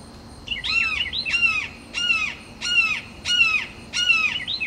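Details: A red-shouldered hawk on a perch calls territorially at rival hawks, giving six strong, descending, rasping screams at a regular pace, roughly every three-quarters of a second, with softer chirps between them against steady background hiss.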